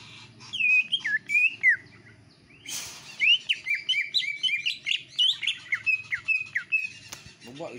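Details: Greater green leafbird kept at home, singing energetically with iora-like notes: dense chains of short whistled slurs and chirps, broken by a brief harsh noise burst near the middle, over faint low humming.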